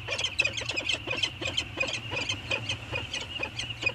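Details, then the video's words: Two peregrine falcons, probably a mated pair, chat while circling each other on a morning at Anacapa (09-04-19). They give a rapid, harsh run of scratchy notes, several each second and irregularly spaced, over low steady wind rumble. "Peregrine falcons; morning circle chat"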